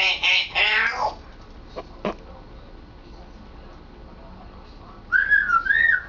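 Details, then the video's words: Pet African grey parrot practising words at home: two harsh speech-like syllables, a pair of soft clicks, a quiet pause, then a run of wavering whistled notes. "African Grey Sambuka trying to talk and succeeding!"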